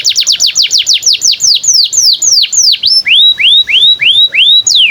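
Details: Canary song used to train young canaries: a rapid series of steep falling notes that slows and lengthens, then changes to rising-and-falling looped whistles repeated about twice a second.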